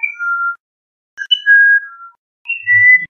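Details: Musician Wren song of pure, flute-like whistles in three brief phrases, each a few steady notes stepping between pitches, with a soft low thump at the end.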